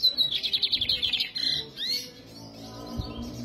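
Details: A lined seedeater (Sporophila lineola), a hand-tame bird, sings on Sunday 13 November, a quick high series of about a dozen bright chipping notes, then a short buzzy twittering phrase, fading into faint background murmur.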